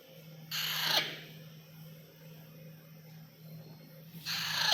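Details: A young pet Alexandrine parakeet (Psittacula eupatria) gives two harsh, raspy screeches about three and a half seconds apart over a steady low electrical hum.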